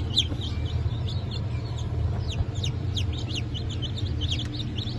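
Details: Hatchling Brahma and Wyandotte chicks, 4 August 2024, give distinct high peeps that slide downward, several per second from different birds, over a steady low rumbling hum.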